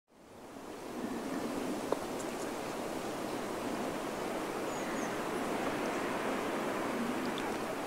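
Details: Rushing water fades in and holds as a steady broad hiss, with a single faint tap and no animal calls.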